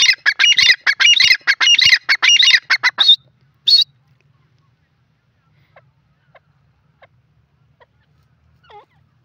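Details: Grey francolin from a breeding pair, called dakhni teetar: a loud, harsh burst of rapidly repeated ringing notes for about four seconds, then near silence with only faint scattered clicks and a soft final note.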